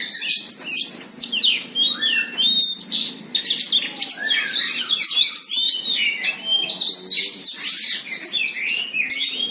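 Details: White-rumped shama singing while facing a rival: a dense, continuous torrent of high whistles, sweeps and chattering notes with hardly a pause.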